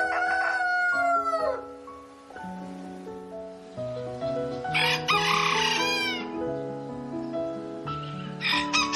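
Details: A rooster and hens on a chicken farm: a falling, drawn-out crow opens, followed later by a loud, harsh, crackling burst of calling, all set against continuous background music.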